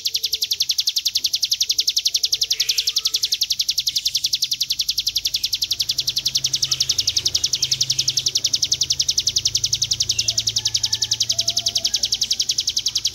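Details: A mountain prinia (ciblek gunung) delivers a long, unbroken, buzzy high-pitched trill, steady and rapid throughout, offered as a master recording for training; a few faint chirps from other birds sound in the background.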